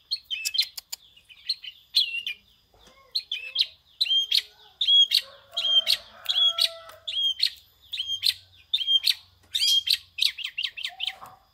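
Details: Long-tailed shrike singing lively in a prinia-like style: a fast series of sharp, high whistled notes with buzzy, rasping bursts, repeated more than once a second, with a faint lower buzzy note in the background.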